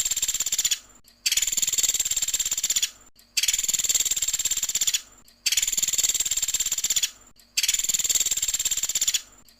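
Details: Woodpecker, known locally as pelatuk sampit, in a recording used to train songbirds: long bursts of rapid, buzzy, high-pitched pulses, each lasting about two seconds, separated by short silent gaps and repeated at a steady pace.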